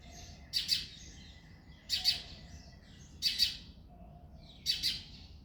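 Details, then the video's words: Male house sparrow singing and chirping in the early morning in February: four loud, harsh double chirps, each a pair of quick notes, spaced about every 1.4 seconds, with faint softer notes between them. "House sparrow sound effect | Sparrow chirping sounds"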